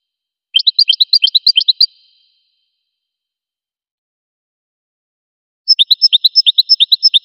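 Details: Goldfinch song: two fast, regular trills of bright high notes separated by a long pause; the second phrase adds sharp, ringing, higher-pitched notes alternating with lower twitters.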